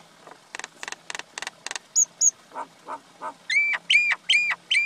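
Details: Male and female common myna: six quick rasping clicks, two high sharp whistles, low gurgling croaks, then four loud, bent whistled notes, each descending then rising.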